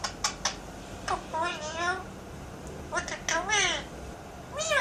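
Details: A pet Alexandrine parakeet, indoors, talking and doing sound effects, opens with a few sharp clicks, then gives wavering, speech-like phrases and a drawn-out, meow-like call.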